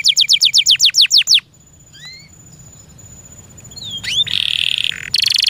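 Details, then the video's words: Home-kept canary giving a brisk roll of about ten high downswept notes, a pause with soft rising whistles, then a sharp sweep into a loud buzzy trill. "THE SOUND OF THE CANARY BIRDS"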